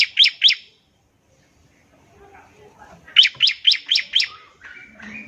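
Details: Bar-winged prinia trilling in ngebren style to set other prinias singing. A pair of sharp notes, a long quiet pause, then five rapid ringing notes, ending with a few soft thin chirps.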